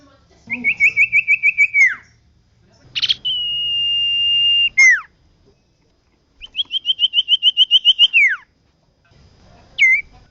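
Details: Vigorous common iora singing meant for training caged songbirds: a run of about ten quick repeated whistles ending in a downslur, a rasping burst leading into a sustained clear tone, another trill, then a brief hooked note.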